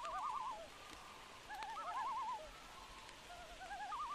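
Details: Overlapping loon tremolos, rapid wavering laughing trills sounding almost continuously, with several phrases layered together as if more than one bird calls, on a rainy night with light rain beneath.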